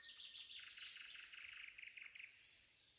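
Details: Shrike calling at sunrise in spring woodland at Spivaki, recorded on a microphone pair: a fast run of short bright chirping notes repeated in a steady series, with a nightingale and several other birds calling in the background.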